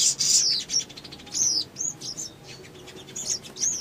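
A Crimson Sunbird sings a rapid, uneven run of very high, thin chirps and downslurred sweeps, several per second, with a faint background hiss.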